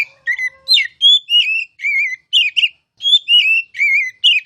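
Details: Kacer, or oriental magpie-robin, singing ngeplong-style master song for would-be champion birds: a steady run of clear whistled notes, some wavering and some sharply inflected, given in short phrases about every half second. The recording is clean, with no other sounds.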